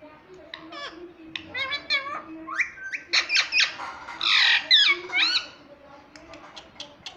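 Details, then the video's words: Pet Indian ringneck parrot indoors, talking and said to say "mummy" and "papa": a run of short, harmonic, speech-like squeaky syllables and chirps, then a loud rasping squawk burst midway, followed by quieter clicks and chirps. "Mummy Bolne Wala Parrot _ Talking Parrot _ Cute Ringneck Parrot"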